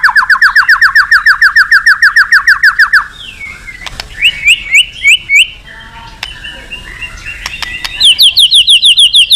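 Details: White-rumped shama song used as therapy to get other birds singing: a three-second run of rapid repeated notes, then sparse clicks and a few bright whistles, and a final fast high trill.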